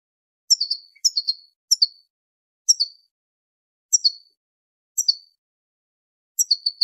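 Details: Female European goldfinch calling to stimulate the male to mate: short bursts of high, thin chirps in twos and threes, repeated roughly every second, with clean silence between bursts.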